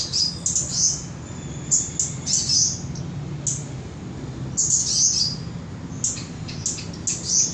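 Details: Cabai gunung from Samarinda, Indonesia, giving high, thin chirping notes in short bursts, several sharp twittering phrases spaced irregularly over a low steady background hum.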